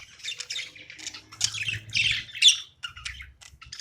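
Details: Pet budgerigar chirping during play: rapid warbled chatter of scratchy, buzzy chirps and a few sharp squawks, with faint low rumbling underneath.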